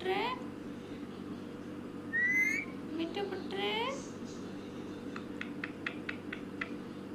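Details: Parrot vocalizing with a selfie camera: harmonic sliding calls at the start and middle, a short bright whistle, then a regular run of sharp clicks in the second half, over a low indoor hum.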